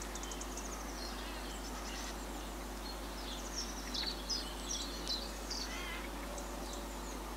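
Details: Common house martins on autumn migration, resting for an hour on a 20,000-volt power line in Limousin, central France, on 24 September 2015, give short, dry, high chirrups, several birds overlapping at an uneven quick pace over a steady low hum.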